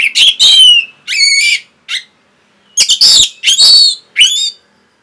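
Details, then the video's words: Orange-headed thrush masteran song used to train caged birds. Loud, rich phrases mix harmonic whistles and harsh buzzy bursts, in two groups separated by about a second of silence. "CUKUP 15 DETIK ANIS MERAH PASTI MENGIKUTI KICAUAN MASTERAN INI"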